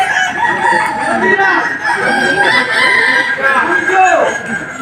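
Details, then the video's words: Kukuak Balenggek roosters perform at the 2025 Boko-class final in Sawahlunto, West Sumatra, a breed known for crows of five or more rising and falling steps. Several long crows run together, some sliding down at the end, over background talk. "Ayam kukuak balenggek terbaik tampil di final klas boko di Sawahlunto"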